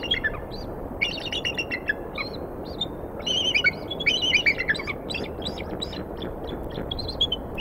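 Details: Female eagle and a strange eagle call near the nest in Decorah, Iowa, morning of 4 February 2019, after the male arrives with a mammal. Stammering high chirps and squeals in several bursts, then quieter scattered notes.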